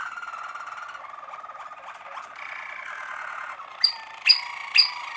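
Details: Malinois Waterslager canary singing a continuous rolling, bubbling tour that steps between pitches, followed by three loud sharp whistled strokes about half a second apart.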